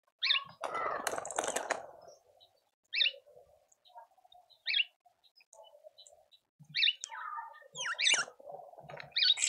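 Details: Speckled mousebirds at a suburban Pretoria garden feeder in South Africa give repeated short, high, sharp chirps and buzzy dipping calls, mixed with a burst of busy chatter and soft low background calls.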